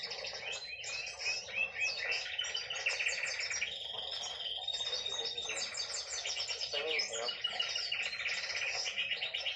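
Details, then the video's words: A female canary keeps up nearly ten seconds of unbroken song, layering rapid rattling trills with clear high whistled notes and chirps. "Hen canary singing!"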